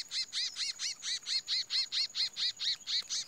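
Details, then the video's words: Chestnut-bellied seed finch male fighting for the first time after moult, giving a fast series of identical arched, high-pitched notes, about two per second, with a thin steady high tone in the background. "Curió PUMA pegou e foi pego - primeira briga pós muda"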